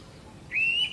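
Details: Indian pitta (Pitta brachyura) call, of the kind heard at dawn in summer as a loud pairing call: one clear whistled note, high and nearly level with a slight upward lift at the start, over a quiet background.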